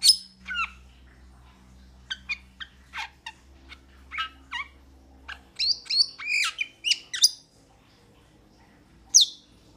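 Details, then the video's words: Metallic starling delivering a run of quick chirps, squeaks and whistled notes, clustering densely in the middle before a pause and a final high note; faint low hum early on. "Metallic Starling Aplonis Sounds ! Metallic Starling Aplonis Song Metallic Starling Aplonis Call !"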